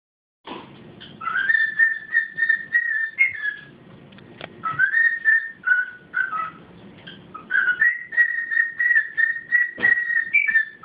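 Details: A pet cockatiel whistles the learned United States Marine Corps Hymn in clear, repeated notes around a steady pitch.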